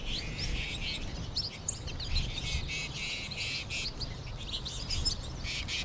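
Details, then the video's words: Large American goldfinch flock with birds also heard in the trees above; a busy, bright chorus of high chirps and twitters throughout, fairly even in loudness over low background hum. "American Goldfinch flock"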